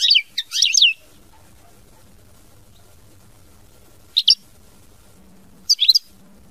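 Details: European goldfinch singing in the mama binette style: a second of high, tumbling twittered notes, then a long pause broken by two brief paired chirps.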